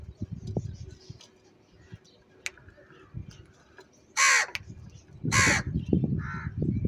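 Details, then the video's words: Crows squabbling over food while eating cheese: two loud, harsh, rasping caws about a second apart, then a fainter caw, over steady low background rumble and scattered clicks. "Crow sound & Fight For Food"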